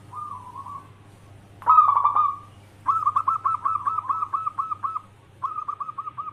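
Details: Zebra dove of a local type singing to call in other doves: a quiet coo, then a loud vibrating burst, followed by two rapid series of clipped, rhythmic cooing notes, a constant low hum underneath.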